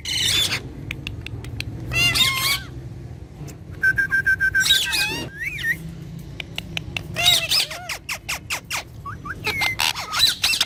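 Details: Two pet talking parrots together, giving rapid dry clicks and tapping sounds between harsh squawks. A long steady whistled note comes midway, followed by short twisting whistles and more clicks.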